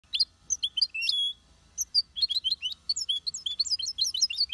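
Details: Aviary European goldfinch sings a quick, tinkling jumble of high twittering notes and liquid trills, with one longer buzzy note early on.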